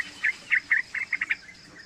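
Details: Young yellow-vented bulbul, three months old, used as a lure and singing tutor, gives seven quick, slurred notes in an uneven, accelerating sequence.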